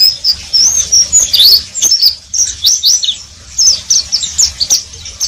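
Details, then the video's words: Oriental white-eye in continuous ngeriwik twittering: bright, high, rapidly alternating chirps and short slurred whistles in tight clusters across five seconds, with a faint low hum underneath. "Pleci wiklus"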